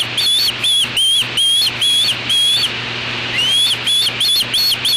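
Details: Young osprey repelling an intruder, apparently a black vulture, at the nest where it hatched, Yadkin nest cam, afternoon of 8 August 2013. A rapid series of piercing whistled chirps, briefly pausing, then resuming faster over a constant low hum.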